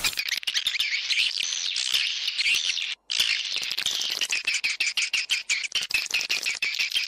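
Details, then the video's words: Swiftlet lure call tested in Gorontalo, Indonesia, played to attract the birds: a dense, continuous high twittering chatter with fast ticking pulses, broken by one short silence midway. "Tes suara panggil walet terbaru di GORONTALO"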